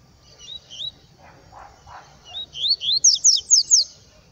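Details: Yellow-bellied seedeater singing in the wild in scrubland, a quick series of high, sharply rising whistled notes that speeds into a rapid trill at the end, with a few soft lower notes from another bird earlier.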